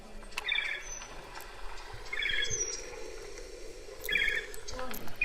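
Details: Loggerhead shrike at a distance giving short, burry trilled phrases, each about half a second long and repeated roughly every two seconds, over a low room hum; it can resemble the end of a black-throated sparrow song.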